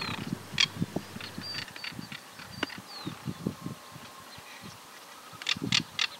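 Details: A Crested Caracara in rural Santa Fe, Argentina, in 2023, gives a harsh, low, rattling series of rapid clacking notes with louder rasping bursts, a call used to defend territory or food. Faint thin whistles from other birds sound behind it.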